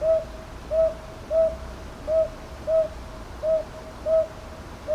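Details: Eight gentle hoots from a northern boobook, recorded 22 May 2023 in Ichijoji, Sakyo Ward, Kyoto, on a TASCAM DR-100MKIII; the notes come in loose pairs about two-thirds of a second apart over faint low hum.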